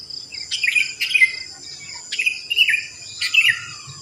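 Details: Sooty-headed bulbuls after dawn around houses: four or five short, slurred, warbling phrases about half a second apart, set against a steady shrill buzz of insects.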